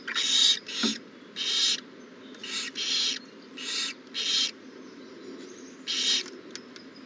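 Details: Owl heard at the nest on April 20, 2019, after an owlet hatched that morning; a series of about eight short, breathy hisses at irregular intervals, each roughly half a second long, over faint background hum.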